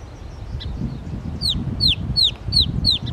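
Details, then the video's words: Northern mockingbird at Belle Isle Marsh Reservation, East Boston, Massachusetts, running through its litany of other birds' songs: a clear downslurred whistled note repeated six times at a steady pace after a faint opening sound. "Northern Mockingbird bird songs"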